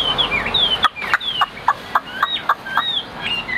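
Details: Caged Chinese hwamei with white wings and white tail singing high; clear whistled slurs mixed with a run of short, repeated downward notes about four per second.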